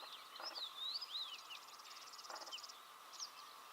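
Red-backed shrike giving quick, high, slurred chirps and whistled notes in a scratchy jumble, over a steady faint drone with two brief buzzy bursts.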